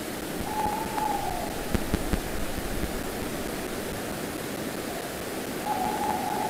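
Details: Tawny owls at De Mortel, 27 January 2022: the female sits long on a branch, then the male calls and she answers and flies away. Two faint, steady, mid-pitched hoots, each about a second long, come about five seconds apart over constant rushing hiss and soft knocks.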